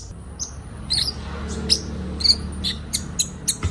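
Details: Kolibri ninja sunbirds in a group training recording meant to get birds singing quickly: a few spaced, thin, high chips and short whistled squeaks over a steady low background hum.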